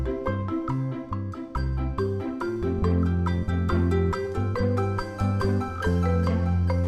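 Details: Mallet percussion music, with vibraphone-like notes in a repeating melody over a steady low bass line, and no animal sound.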